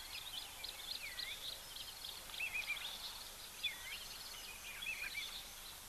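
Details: At an African waterhole on 13 June 2024, red-faced mousebirds, cooperative breeders usually in family groups, give clear falling whistled notes, some in quick triplets, every second or two. A busy chorus of other birds calls behind them.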